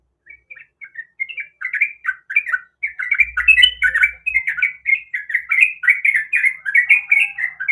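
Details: Female sooty-headed bulbul calling for a male: sparse chirps build into a dense, continuous rapid chatter of bubbly notes that grows louder over eight seconds.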